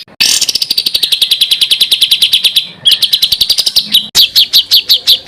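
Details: Songbird tutor material full of varied phrases: a long fast series of sharp, clipped high notes in a steady rattling run, then abrupt cuts to new trilled bursts of similar chips.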